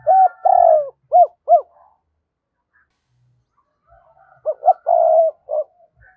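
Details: Spotted dove used as a decoy to draw in wild doves, giving two bursts of coos separated by a silent gap of about two seconds. Each burst mixes short arched notes with a longer drawn-out coo.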